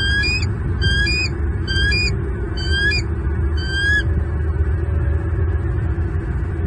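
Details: Male bald eagle at a nest with two chicks in Southwest Florida, 10 February, morning, calling at an intruder near the nest tree: five high, thin, harmonic squealing notes about every 0.8 seconds, then quiet with steady low rumble.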